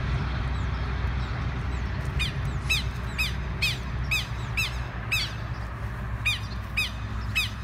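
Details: Southern lapwing parents give harsh, strident alarm notes, about two per second, in an insistent series over a low wind rumble, dive-bombing to intimidate a person removing their weak chicks from a field.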